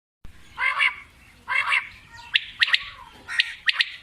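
A quail gives two harsh, raspy squawks about a second apart, then quick sharp paired notes, bright and high-pitched, with a little background hiss.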